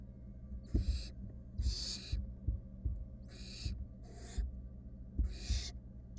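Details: Wild barn owl family, three nestlings and their mother, in a monitored nest box in Israel: harsh, breathy hisses, each about half a second long and repeated roughly once a second, over low thumps and rumbling.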